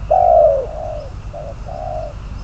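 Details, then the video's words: Spotted dove decoy bird, number 22, kept for trapping, giving a low cooing phrase: one loud drawn-out coo followed by a shorter coo and two softer sustained notes, with a steady faint background hum. "Bẫy cu gáy mồi, con số 22, cuckoo trap, bird number 22 !"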